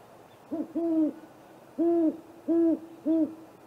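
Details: A great horned owl pair visits a great gray owl snag tree nest at 8:50 pm on April 21. Five deep hoots sound in sequence: a short note, a longer drawn-out one, then three evenly spaced hoots about half a second apart.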